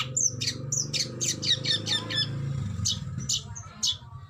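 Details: Oriental magpie-robin in a tutor recording for training songbirds, giving fierce bursts of song: sharp, scratchy high notes in quick uneven runs with a steady low hum and faint voices behind.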